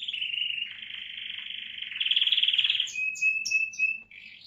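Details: Male American Singer canary singing at length: long high buzzy trills running on without pause, rising slightly in pitch, then a series of short clear whistled notes and a final trill.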